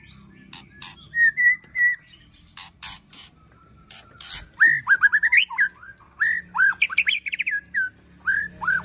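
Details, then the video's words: White-rumped shama with an emotional, aggressive 'ketrekan' delivery, recorded as training material to provoke other birds. Clear whistled notes near a steady pitch, then a run of bright, looping, upslurred whistles. Faint low background hum throughout. "KETREKAN MURAI BATU EMOSI TEMBAKAN PEDAS"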